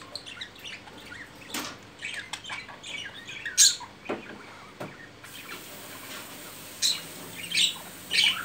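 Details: Budgerigar mating and courting: a run of quick, scratchy chirps and sharp clicks, then a quieter stretch with a few high, piercing chirps.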